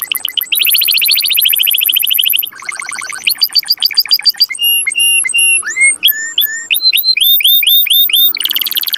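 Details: Strong canary singing meant to excite males and females for mating; opens with a long buzzy trill, then rapid rattles, evenly repeated bright whistled notes, quick upslurred phrases, and another buzzy burst.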